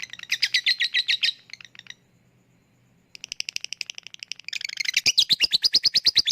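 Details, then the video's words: Lovebird chatter, 'ngetik' and 'ngekek' style, used as a lure for lazy birds: bursts of rapid squeaky clicks broken by a second of near silence, ending in a loud fast chattering run. "Ngetik lanjut ngekek@Pancingan untuk Lovebird yang malas bunyi"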